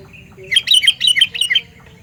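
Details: Sooty-headed bulbul calling loudly, a sound meant to draw in other bulbuls: a lively burst of about seven bubbly, whistled notes jumping up and down in pitch, lasting roughly a second against soft background noise.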